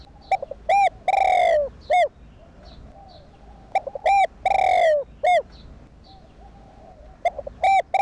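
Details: Repeated cooing phrases of a spotted dove, used to encourage doves to coo: each phrase has short hollow coos and a longer, falling drawn-out note, recurring about every three seconds against light background noise.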